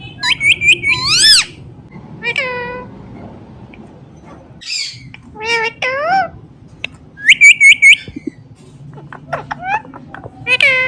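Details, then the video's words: Green Indian ringneck parrot talking "Mithu Mithu": bursts of quick, high, warbling syllables in rapid clusters, some falling, others short repeated chirps, separated by pauses over a low indoor rumble. "Ringneck Parrot Talking Mithu Mithu"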